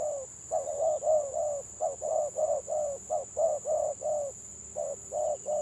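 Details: Rapid stammering coos from a village spotted dove of the gagap style: a fast string of about fifteen short, even hoots with brief breaks, over a constant high-pitched whine.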